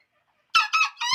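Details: Green junglefowl, said to call very often, uttering a brief raspy crow of three rapid, harsh, ringing syllables after a moment of quiet; the last syllable is cut short.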